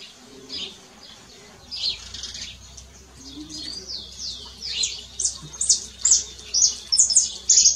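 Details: A canary in nature starts softly with scattered twitters, then builds into louder, rhythmic high chirped notes toward the end, over a low steady background hum.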